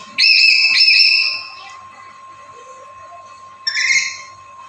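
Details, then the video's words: Black-capped lory kept as a master recording for luring: one long grating screech, then after a pause a shorter, softer rasping call, above a steady faint tone. "Suaranya Bikin Nuri Lain Langsung Gacor"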